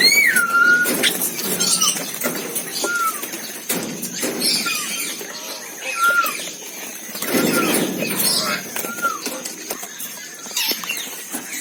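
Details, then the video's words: Asian glossy starling (Aplonis panayensis) giving sharp, down-slurred whistles about every one to two seconds, over a steady high hiss and scattered rustling noise. "Cucak Keling/Perling Kumbang Gacor - Suara Kicau Burung"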